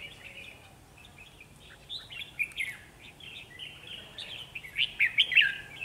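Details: Red-whiskered bulbul used as a decoy during trapping, singing vigorously to lure a wild bird; faint chirps at first, then brisk, bright warbled phrases building into louder bursts of quick notes near the end.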